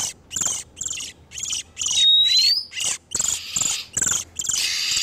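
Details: Oriental magpie-robin, male and female in breeding condition, used as a lure for trapping wild birds: harsh, scratchy high bursts repeated about three times a second, with one clear rising whistle near the middle.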